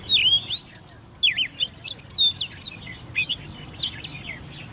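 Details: Caged Oriental magpie-robin, hand-raised, ten months old, singing competitively: fast loud whistled notes with sweeping slides and chips, about two to three per second, in an irregular lively flow.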